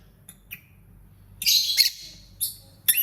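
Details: Lovebird chirping: a few short sharp high chirps, then a louder burst of harsh, buzzy high-pitched chatter around mid-clip, followed by two more brief squeaky notes over a faint low hum.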